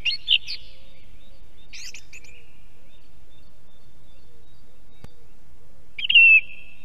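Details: Estonian song thrush near an osprey nest gives a couple of quick chirpy phrases, falls silent for several seconds, then sings one loud whistled note, with soft low background noise.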